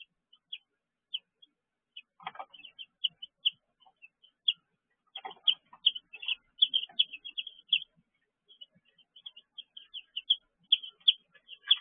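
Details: Chicks in a brooder at 6 pm in June 2023: sparse lone peeps at first, building to rapid overlapping high chirping, with faint scuffling sounds.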